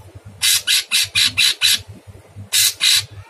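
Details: Sooty-headed bulbul, very harsh-voiced and actively calling in masteran style: six rapid rasping bursts in a row, a short pause, then two more, each broad and hissing, over a low hum.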